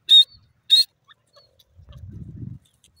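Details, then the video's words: Two shrill, high-pitched grey francolin notes about half a second apart, followed by a low rumbling noise. "titur ki awaz,grey francolin bird wonderfull sound"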